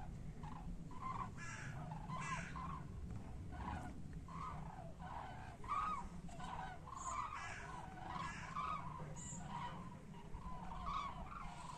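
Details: Common cranes flying back toward Europe, a long sequence of regularly repeated bugling calls from several birds, some clearer and louder, all over steady low-pitched background noise.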